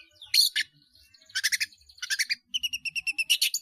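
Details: Softer snatches of long-tailed shrike song with many fill-in notes: scratchy bursts, then a quick string of short, repeated whistled pips.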